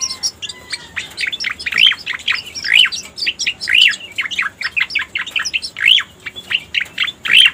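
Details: Striated grassbird used as a lure: a quick chattering series of sharp notes punctuated roughly once a second by a louder rising whistle.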